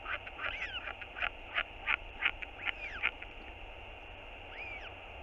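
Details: A hungry royal albatross chick on 7 March 2022 begs its father for food with quick, rasping chirps, about eight in three seconds, with a few thin rising and falling whistles and steady wind underneath; the father feeds it two meals.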